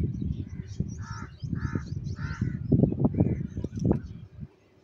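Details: Crows fighting for food, feeding on cheese: three hoarse, nasal caws evenly spaced early on, followed by a fainter one, above continuous low rumbling and knocking noise.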